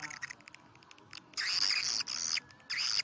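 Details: Swiftlet call used to lure birds to swiftlet houses, 'karindanga' style: faint clicking chirps, then loud, sustained, buzzy, high chattering bursts separated by short pauses.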